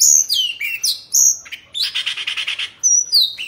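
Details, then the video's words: Caged Oriental magpie-robin sings as it dances and spreads its tail, giving loud pure whistles that drop steeply, a rapid buzzy rattling trill in the middle, then more high whistled notes falling away. "Choè Than Bạch Bạng Hót Múa Xoè"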